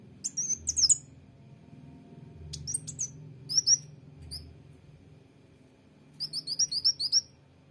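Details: Sunbird known locally as kolibri wulung or mucang trotol, singing scattered bright, thin chirps, then a fast run of repeated sharp notes near the end, set against a quiet low-pitched hum.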